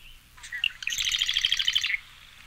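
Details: Long-billed Marsh Wren song, first example: a few quick scratchy introductory notes, then a fast, buzzy, mechanical rattle lasting about a second, high-pitched and even in pace.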